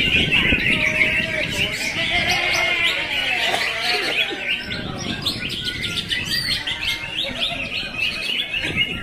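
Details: Greater green leafbirds at a songbird contest in Ngunut, Tulungagung, pour out a dense, fast stream of bright chirps, trills and whistles, several birds overlapping, over a murmur of crowd noise.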